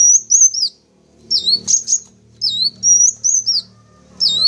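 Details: Sunbird lure for attracting wild wulung, kaca and jentit birds: piercing high chirps and slurred whistles in repeated phrases, over a faint low droning background.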